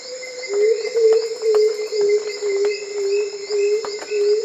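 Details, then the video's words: Black-throated Coucal giving a steady series of loud, low, hollow hoots, about two per second, over a constant high-pitched insect drone in the bush. "Sounds of the Black throated coucal"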